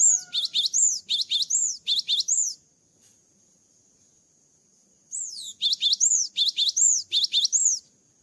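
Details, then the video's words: Cinereous tit after its moult in full song: two bursts of ringing, high arched whistles paired with lower notes, about eight phrases each, separated by a two-second pause; a thin constant high tone runs underneath. "GELATIK BATU GACOR ‼️ KICAU GELATIK BATU SETELAH MABUNG"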